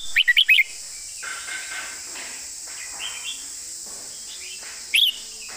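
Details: Red-whiskered bulbul singing a master-song style with neatly flowing phrasing: a quick burst of four bright whistled notes at the start, then softer notes, and a short loud phrase near the end over a steady high hiss.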